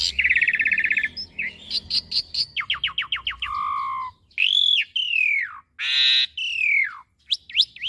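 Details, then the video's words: Asian pied starling song as a master for young birds to copy: buzzy rattled trill, a series of rapid downswept notes, a low whistle, then loud rasping bursts and falling whistles, with short pauses. "Pancingan Jalak Suren Macet Bunyi / Masteran Jalak Suren Muda Agar Cepat Masuk Materi Mudah Di Tiru"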